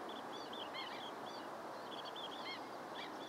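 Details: Long-billed dowitcher flock giving overlapping high, thin, clipped keek notes in uneven bursts, set against a constant rushing hiss.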